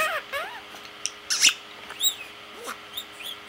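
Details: Indoor parakeet chattering to himself, a run of soft squeaks, clicks and little curved whistles, with a louder burst near the middle and quiet hum behind.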